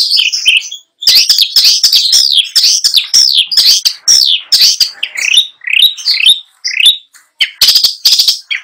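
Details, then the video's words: Long-tailed shrike contest bird singing nonstop with imitated fill material. A dense run of downslurred whistles and chatter continues with almost no pause, ending in sharp clicking bursts. "PENTET GACOR FULL ISIAN | LAGU MEWAH | NGEROLL NONSTOP"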